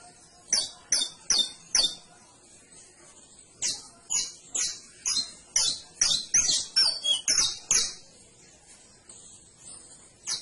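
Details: Canary singing: a long run of sharp, high, bright notes in quick bursts, grouped into phrases with a short pause near the two-second mark, about two notes each second, over a quiet background.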